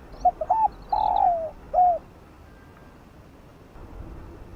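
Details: Spotted dove giving a fast calling coo in the lowland 'giọng đồng' style, used to stir up decoy birds: a few short clipped notes, then a long sustained coo with a falling tail and one shorter coo, over faint background hiss.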